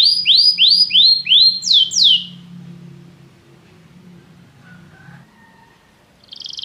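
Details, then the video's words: Canary singing in a training recording: about two seconds of clear, slurred descending whistles repeated in quick succession, followed by near silence with faint low sounds and a brief trill at the end. "Este canto canário inspira o apetite do seu canário para cantar imediatamente"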